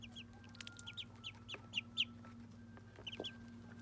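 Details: Muscovy ducklings having their first bath, peeping in short high notes, a few louder ones near the middle, with a clicking knock and a steady low mechanical hum.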